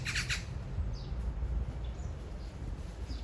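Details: Three rapid, harsh rasping notes from a magpie calling toward a nearby mate, as in a drawn-out love song, open the recording, followed by faint high chirps and steady low rumble.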